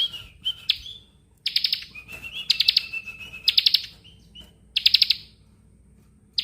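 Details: Bar-winged prinia singing, used as master recording for songbird training: bursts of rapid, high buzzy trills alternating with thin level whistled notes, repeated in quick phrases.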